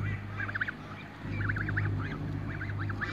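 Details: Backyard young Toulouse geese: bursts of thin, high, wavering peeps in quick clusters, a brief pause near one second, over a loud low droning hum.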